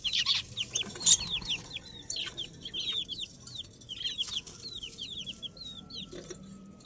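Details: Chicks cheeping in a steady stream of thin, high, falling peeps from several young birds, some calls louder and sharper near the start.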